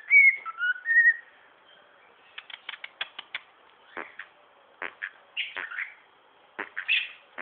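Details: Male pied cockatiel kept as a pet, chattering as usual. It opens with a few clear whistled notes sliding up and down, then a quiet gap, then scattered sharp chirps and squawky notes in small groups.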